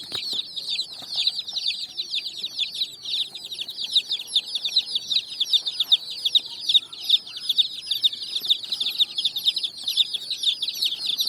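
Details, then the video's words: Colored chicks out of cardboard boxes on sand, calling loudly in a rapid chorus of piercing high peeps, about two or three per second from each of many birds, with a faint tonal hum behind. "Chicks Chirping"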